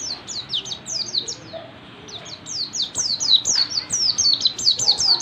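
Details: Oriental white-eye, known locally as pleci, singing in the dense ngalas style: rapid, high, thin descending whistled notes tumbling in quick bursts, with a brief gap midway, over a low background hiss.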